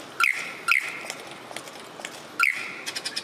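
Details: Superb lyrebird repeating a ringing double whistle, low and high tones sounded together, three times in quick succession, followed by soft, rapid ticking notes.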